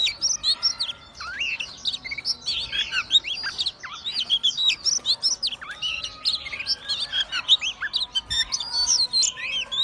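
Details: Oriental magpie-robin (kacer) singing persistently while spreading its tail and swaying: a dense, continuous run of varied sweet whistles, sharp upslurred and downslurred notes and quick chattering phrases, high-pitched with hardly a pause throughout.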